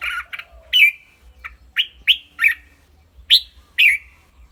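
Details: A red-whiskered bulbul kept in a cage in Thailand sings short, clear whistled phrases with rising-falling slurs, spaced about half a second apart, over a faint low rumble.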